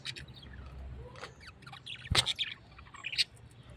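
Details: Parrot giving scattered high chirps, then a sudden loud squawk with a clustered run of sharp notes just past two seconds.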